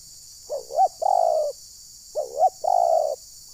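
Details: Spotted dove decoy calling during bird trapping in Rokan Hulu, meant to enrage wild birds: two phrases, each a wavering double note followed by a long, steady, slightly falling coo.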